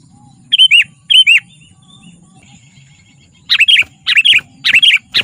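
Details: Lively sooty-headed bulbul song for attracting wild birds and training captive ones: two short liquid whistled phrases early on, then, after a pause, a quick run of five bright, fluty bursts, with a faint low hum underneath.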